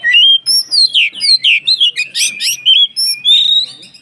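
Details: Lively white-rumped shama (kacer gacor) song aimed at provoking other shamas: a continuous run of loud, clear, rich whistled phrases with rapid slurred notes and quick pauses, in an otherwise quiet setting.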